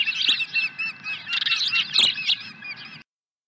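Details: Osprey at a ranch nest on 23 April 2020, swooping in with a second fish: dense, high, squeaky chirps in rapid overlapping bursts, about three or four per second, over a steady low hum.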